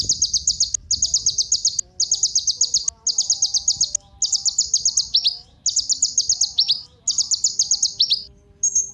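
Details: Sunbird called kolibri ninja, used to stir other birds into song: steady runs of high rattling trills about a second long, with later phrases ending in downward-slurred notes.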